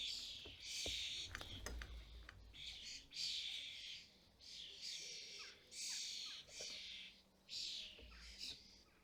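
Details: At a custom-built UK feeder where adult European starlings feed their fledglings, loud rasping, hissing screeches pour out in long overlapping bursts with short pauses, with low thumps from the feeder.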